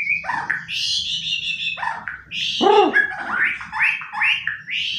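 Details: Indoors on a sofa, a pet white-rumped shama avoiding its hanging cage delivers dense warbling song of sliding whistles and repeated upswept notes, with a brief lower harmonic sound partway through and a steady low background hum.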